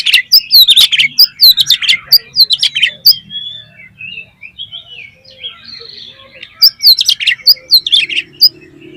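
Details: Oriental magpie-robin lure song for prompting rival magpie-robins to sing: rapid loud burst of sharp chips and whistles, a quieter stretch of soft warbling notes, then another fast intense burst; faint background hum.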